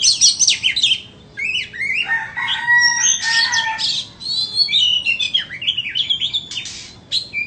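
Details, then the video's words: A white-rumped shama for sale sings a long, varied medley: high warbles, a few steady held tones, looping down-slurred whistles and brisk chattering notes. "Chích choè than bông"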